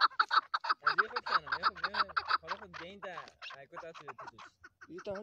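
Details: Chukar partridge chorus: fast, evenly spaced clucks at first, joined by lower, warbling, rising-and-falling notes, then thinning out into scattered calls.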